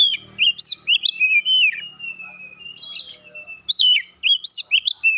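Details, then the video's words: Champion Oriental magpie-robin from a singing contest, first place: quick bursts of rich, warbling whistles with sharp, high chips, joined by a long, steady, slightly wavering whistled note in between. Background quiet. "Burung kacer mas Pentiel juara 1"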